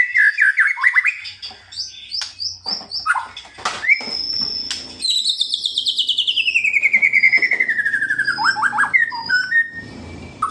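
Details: Kretekan song of a white-rumped shama, used to provoke rival birds. It opens with choppy chattering notes, then a long, fast rattling trill that slides steadily downward, ending in short whistled phrases.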